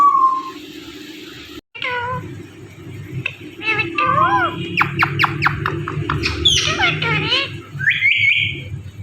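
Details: Indian ringneck parrot talking and squawking; a brief whistled note, pause, then speech-like syllables, a rapid series of sharp clicking calls, and a rising high whistled phrase at the end, low hum throughout.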